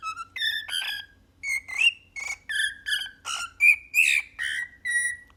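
A cockatiel whistles the Happy Birthday tune in clear, rich, pitch-sliding notes.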